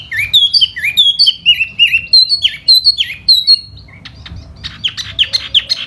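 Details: Laughingthrush in spring, singing while fanning in display: a rapid string of clear falling whistles, then a softer, scratchier passage of short chirps.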